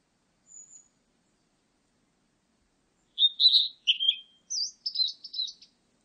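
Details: Song of a Blue-and-white flycatcher: after a faint high note, a two-and-a-half-second phrase of clear whistles dropping in pitch, then a run of higher buzzy trilled notes; nothing else audible.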